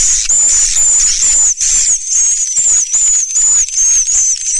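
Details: Swiftlets in the "Surya Mentari" sound style: dense, high-pitched twittering chatter over a steady, thin whistled tone that wavers slightly and repeats in short pulses about two to three times a second.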